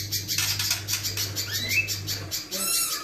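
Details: A vigorously singing little spiderhunter, used as a song tutor for cage birds, gives coarse, long, high, rapid chattering notes and a quick rising whistle, over a steady low electrical hum.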